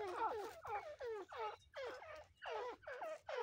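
Grey francolin pair calling: loud, harsh, ringing notes that rise and fall, repeated about every half second in a steady rhythm, over a faint low hum.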